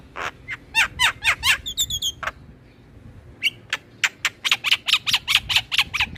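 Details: Lure recording of black-winged myna and other mynas meant to prompt caged birds to sing: fast runs of sharp chattering clicks, a short high whistled trill, then a long string of rapid harsh chirps about twice a second.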